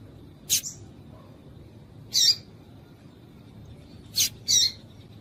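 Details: Female papa-capim seedeater calls used to stir males into song: two pairs of short, high, rasping notes roughly two seconds apart, over a soft steady low drone.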